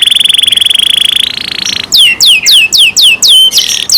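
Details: Canary in captivity singing a fast, steady trill with a high flat tone above it, then a series of loud down-slurred whistles repeated about every quarter second.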